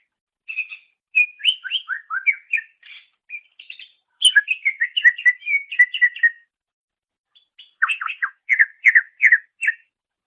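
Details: Greater green leafbird song, intended as a master recording for training songbirds: lively mixed whistles and chattering phrases in three bursts separated by short gaps, ending in a quick series of descending slurred notes.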